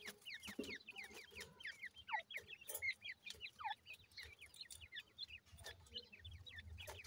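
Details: New-season grey francolin chicks chirp nonstop, many short high notes, mostly downward-sweeping, overlapping from several birds, over faint rustling and scattered clicks.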